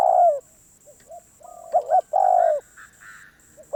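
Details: ['Spotted dove, a wild bird called very stubborn, delivering long husky coos and a stuttering double note. Soft higher chirps follow near the end, and a continuous electronic whine runs through.']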